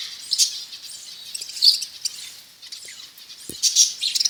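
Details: Budgerigars breeding in a cage, a continuous busy high warbling chatter with scattered sharp chirps and a few faint low knocks.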